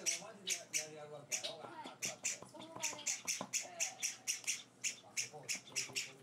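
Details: Hand-fed pet Java sparrow nestlings beg with loud, harsh, high chirps repeated in a steady pulse, several chicks four days into their new home, as a person murmurs in the background.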